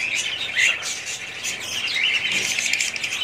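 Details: Several budgerigars, kept as a family flock, chattering continuously with dense buzzy warbles and short whistled chirps, brief brighter notes standing out now and then over the steady high-pitched flock noise.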